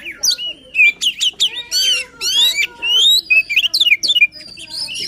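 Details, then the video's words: A white-rumped shama pours out passionate song for stimulating a silent bird: bold whistled phrases, steep upward and downward sweeps and scratchy chatters in quick succession, ending in a rapid burst of clipped notes. "Kacer Gacor Full Emosi, cocok untuk mendongkrak Kacer yang malas bunyi."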